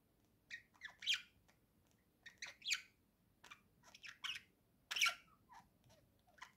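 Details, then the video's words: Pet budgerigar chattering while sitting on a swing, one of a pair kept together: scattered short chirps and squawky twitters in uneven bursts, some louder, over a quiet indoor background. "Волнистые попугайчики Гоша и Ксюша.Гоша что то рассказывает сидя на качели"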